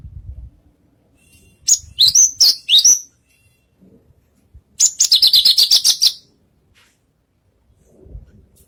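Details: Lark performing on stage in a bird contest: a string of high, sharply descending whistled notes followed by a fast, buzzy rattling trill, then a pause, with low background noise.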